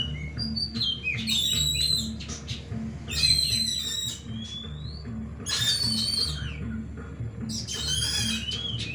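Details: Oriental magpie-robins singing at a bird-song contest in Desa Rawa Mulya, Mukomuko. Loud bursts of high, sharp whistled phrases and trills come every couple of seconds over a steady low mechanical hum.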